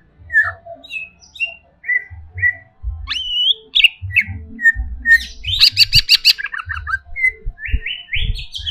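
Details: Greater green leafbird kept in a cage, singing agitatedly: spaced whistled notes, a rising slur, then a dense buzzy rattle and a closing series of rising chirps, with low knocking sounds.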